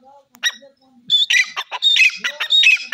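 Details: Teetar, the grey francolin, giving harsh, squawking high-pitched bursts in an uneven rapid run, several notes crowding together after a soft low opening, with little other sound behind.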